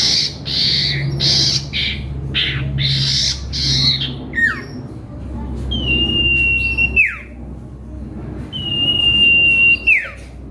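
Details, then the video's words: Common iora used as a lure to provoke rival birds: harsh, buzzy chattering bursts, then two long, level, drawn-out whistles that each end in a quick downward slur. "Bongkar Isian Cipoh Kacat | Cipeuw Gacor Pikat Lawan"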